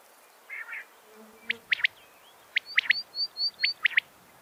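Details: A female common quail calling in sharp, clipped triplets, three quick liquid notes about a second apart, with thin high whistles between and a faint earlier chatter.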